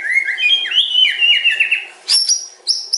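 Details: Murai batu, the white-rumped shama, giving a string of clear whistled notes that slide up and down, followed by sharp high chips.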